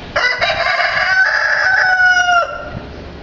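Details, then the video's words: Rooster at an animal safari park crowing one long drawn-out cock-a-doodle-doo, harsh and richly layered, held steady for over two seconds before cutting off, with low background noise. "Rooster Crowing"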